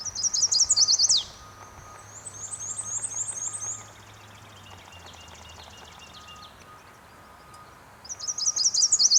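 Chestnut-sided Warbler: bright, high, rapid sweet notes in short phrases, with fainter high thin trills between and a faint steady hum behind.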